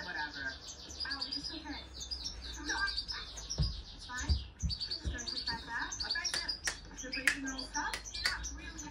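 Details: A hand-tame European goldfinch sings a fast, tinkling, liquid twitter of high chirps and trills without pause, with a few low thumps and faint voices in the background.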